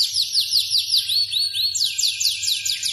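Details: F2 Yorkshire canary singing evenly spaced arched whistled notes, about four a second, then switching to a faster run of sharp sweeping notes; faint hum in the background.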